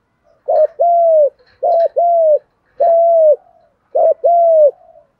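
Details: Cooing of male and female spotted doves, thúc gù and gù đấu style, meant to rouse birds during training; four evenly spaced phrases, each a short hooked note tied to a longer steady coo.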